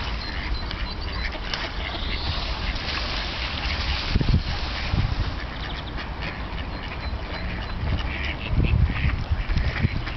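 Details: Flock of wild ducks on the Tourujoki in Jyväskylä, Finland, in winter, on a river warmed unfrozen by a paper mill; scattered rasping quacks and chatter over low background rumble with occasional louder thumps.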